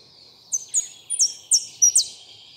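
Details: Goldfinch song: a run of short, bright, high whistled notes in quick pairs, each sliding slightly downward, with a faint steady background hiss.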